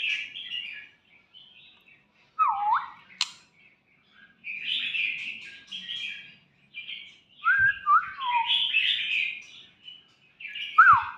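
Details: A young white-rumped shama (Copsychus malabaricus) sings rich, varied whistled phrases, some with clear downward slurs, in bursts separated by short pauses, with a couple of sharp knocks.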